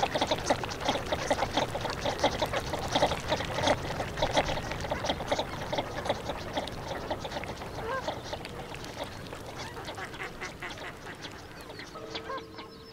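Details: Northern shoveler calling amid a dense flock chorus: many overlapping short nasal notes repeated rapidly, about ninety per minute, fading slightly toward the end, with a steady low background hum.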